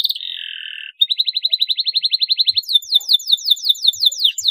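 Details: Canary in full song, a recording used to rouse other canaries. A steady buzzy note gives way to a fast, even trill of pulsed notes, then a run of rapid falling slurred whistles.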